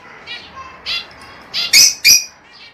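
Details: Lovebird mating call for breeding pairs: scattered shrill squawks building to two loud, harsh, piercing chirps near the end, with soft twittering before and after.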